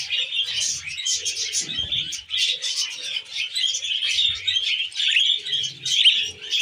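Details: Tamed budgies feeding on wheat germ chatter in high, squeaky chirps that rise and fall in loudness, with light pecking and rustling sounds now and then.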